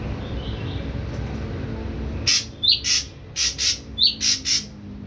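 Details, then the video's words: Young ashy drongo, wild-caught and kept three weeks on full pellet feed, starting to find its voice; a string of harsh, buzzy chip notes delivered in pairs and threes across the second half, with faint background hum. "SRIGUNTING ABU BAHAN 3 MINGGU PUR TOTAL DAN MULAI BERANI BUNYI"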